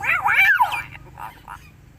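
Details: Pet common hill myna imitating a human cough: a loud, harsh, wavering burst lasting under a second, followed by two softer short rasping sounds.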